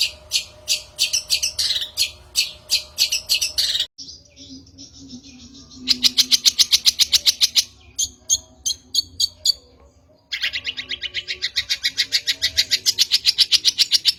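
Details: Long-tailed shrike lure recording: fast trains of sharp high ticking notes, about four per second, broken by abrupt cuts and quieter gaps, over a faint steady low hum.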